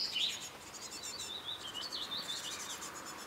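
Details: A pair of great tits nesting in a nest box in summer 2011, raising their young, give thin, high chirps and quick twittering notes, overlapping and busy throughout, over a soft steady hiss.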